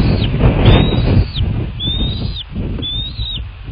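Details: Bald eagle at a nest in southwest Florida, nest cam recording from 23 February 2024: three drawn-out high whistled notes, each gliding upward and ending in a quick downward slur, with breezy low rumbling noise underneath.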